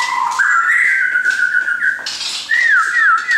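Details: Caged shamas owned by a friend give a long level whistle, then a few clear looping upslurred notes after a short burst of harsher sound.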